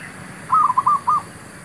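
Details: Zebra dove heard while luring wild birds for trapping: one quick phrase of five clipped, bubbly cooing notes on a steady mid pitch, the last set slightly apart, over faint background hiss.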